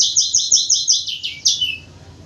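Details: White-crowned forktail in the morning, recorded as a lure sound while calling actively: a rapid series of about seven sharp, high, piercing notes, repeated evenly, ending in a longer downslurred whistle, with a faint low hum behind.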